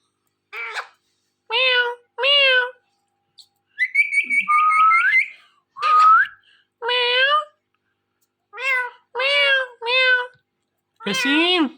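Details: Pet Ringneck parrot talking at a phone indoors: repeated short harmonic word-like phrases with nasal tone, separated by pauses, plus a warbling whistle and a rising whistled note midway; quiet room otherwise.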